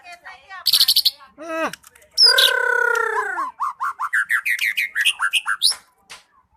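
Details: White-rumped shama (murai batu) in lively song: scattered sharp notes, then a long, loud, harmonic-rich drawn-out note sliding downward, followed by a fast run of short rising whistled chips.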